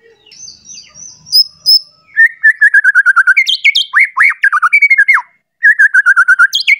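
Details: Agitated white-rumped shama singing while seeking a rival, a bout meant to provoke other shamas: soft high whistles, then loud rapid repeated notes in fast trills and falling chirp series, with a brief pause before resuming.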